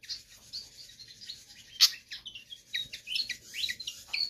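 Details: Pied fantail in full song, suitable for tutoring or luring birds: continuous high twittering with quick downslurred whistles and one loud sharp note, over a faint steady background hiss.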